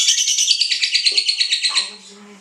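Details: Cinderella lovebird giving a rapid series of high, evenly pulsed chirps for about two seconds, used to trigger other lovebirds into singing during song training; a faint low hum follows as the calling stops.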